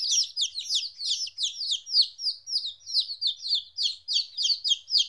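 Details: Two-week-old baby chickens separated from their mother calling busily: high, sharp peeps sliding downward, tumbling over one another at roughly three per second, with a clean, quiet background.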